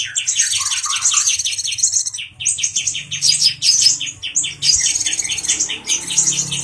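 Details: Agitated brown-throated sunbird male teasing a cucak jenggot (grey-cheeked bulbul): fast, evenly spaced high chirps form lively trills that pause briefly now and then.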